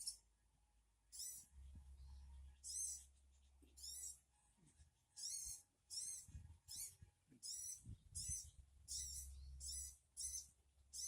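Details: Sogon calls played to make a wild bird reply: bursts of high, rasping notes come irregularly, some close together and some spaced, over a low droning hum and faint background noise.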